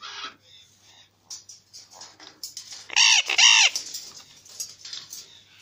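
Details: A pair of recessive pied Alexandrine parakeets gives two loud, harsh, arching screeches half a second apart, with softer chattering calls before and after.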